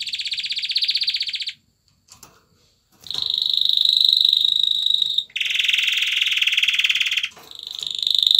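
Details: Male canary in courtship display to a female, singing a buzzy pulsed trill, pausing, then a long high whistled roll, a broad harsh rolling trill, and another high clear roll.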